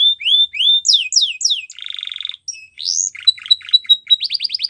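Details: Belgian canary song used for training young canaries: a rapid sequence of high whistled phrases, with downslurred notes, a buzzy trill near two seconds, a rising sweep, then quick repeated chips.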